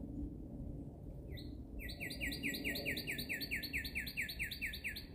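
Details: Bird song opening with a few separate notes, then a steady trill of bright downslurred whistles with strong harmonics, repeated at an even pace over faint low background noise.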